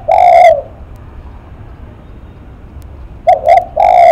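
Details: Spotted dove described as shaking its face while cooing. A long hoarse coo ends one phrase, then after a quiet gap two short coos and a long coo begin the next phrase, all loud and near.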